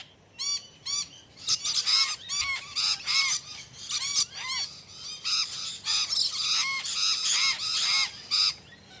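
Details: Budgerigars calling in a rapid series of arched, harmonic chirps, first spaced, then crowding into busy overlapping chatter before thinning out again.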